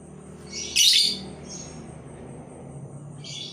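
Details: Labet bird used as a lure to attract other labet birds and encourage them to sing: one loud, harsh, high-pitched chirp burst about a second in, then two fainter short high notes over a low background hum.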